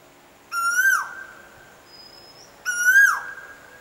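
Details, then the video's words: Koel delivering its pleasant song as two loud, full whistled notes about two seconds apart, each rising a little and then falling abruptly, with a thin high tone in between and little background noise. "SWEET VOICE OF THE KOEL"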